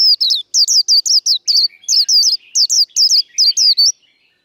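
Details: Fast líu đấu fighting song of a caged white-eye, meant to stir up other birds: shrill, slurred high notes delivered in quick pairs and runs, with softer chatter between, fading at the end.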